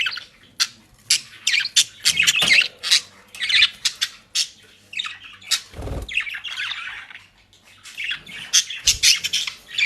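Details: Budgerigars kept at home in Den Haag, Netherlands, eating dry leaves and grass: rapid, raspy squawks and chirps in steady bursts, with occasional low thuds.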